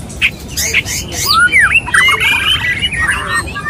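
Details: White-rumped shama male courting a female: a few sharp clicks open, then looping whistled swoops and a buzzy chattering trill.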